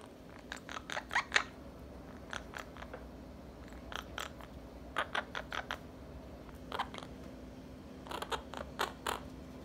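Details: Two young Quaker parrots, kept as pets indoors, playing, pouncing and biting each other; short sharp chirps and squeaks in quick bursts, repeated in clusters with pauses, over a steady low room hum.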